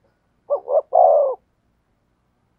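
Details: One clear spotted dove phrase in the "thổ sấm" style: two short, bubbling coos followed by a long, steady croo that falls slightly, then silence before the next phrase begins.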